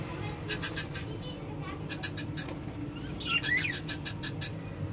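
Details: Pet lovebirds chirping in quick bursts of sharp, clicky notes, with a short squeaky rising call midway, over steady low background hum.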